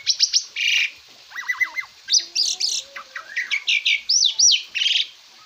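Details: On a master recording meant to train cage birds, an Asian pied starling gives sharp chirps, a harsh buzzy burst, a fast wavering trill and a series of looping whistled notes.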